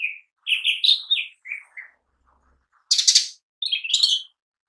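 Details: Lesser green leafbird singing a lure song: varied bright whistled and chirpy phrases, some sliding, others rasping, in quick bursts separated by short pauses, with no other sounds.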